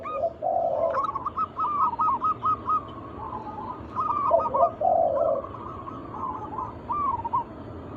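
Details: Local wild zebra doves singing as a lure to prompt other doves: rolling phrases of quick repeated coo notes in bursts, joined by lower soft cooing, with pauses between phrases.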